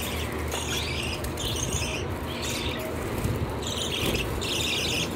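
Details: Cockatiels kept at home give harsh, raspy squawks in short bursts, with a low background rumble.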